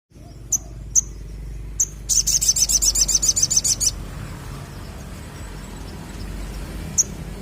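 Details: Crimson sunbird singing actively: a few sharp, very high chips, then a fast rattling trill of high notes lasting about two seconds, followed by more isolated chips over a steady low background hum.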